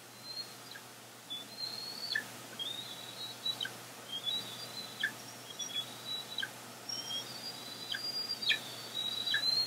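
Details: Bald eagles at the nest, mid-April 2022, eaglets near fledging: faint, thin whistled calls, level or slightly rising, in loose repeated series with short chips between, against continuous low hiss.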